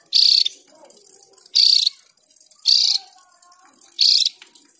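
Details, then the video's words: Javan grey-throated white-eye repeating four loud, harsh chirp bursts at a steady pace of about one every second and a quarter, with soft faint tones in between. "Opior Jawa Gacor Ngerol Panjang"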